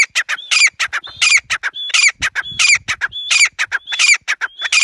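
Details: Grey francolin giving a loud, harsh, rhythmic call. Grating squawky notes are grouped into repeated phrases, each ending in a higher squeal. The phrases come about every 0.7 seconds, steady and insistent, with no other notable sounds.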